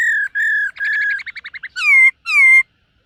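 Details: Silver-eared laughingthrush practicing its song in the morning: level whistles, a rapid stuttering run of short notes, and two loud falling whistles.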